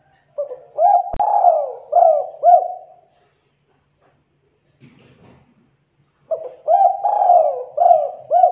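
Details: Spotted dove cooing vigorously to provoke answers from other doves; two phrases of soft, looping notes separated by a quiet gap with a faint low murmur, plus a sharp tap early on.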